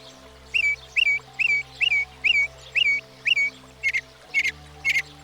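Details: Northern Mockingbird, a single bird able to learn up to 200 different sounds, singing one bright slurred note repeated about ten times in quick, even succession, shifting slightly near the end; soft steady background music underneath.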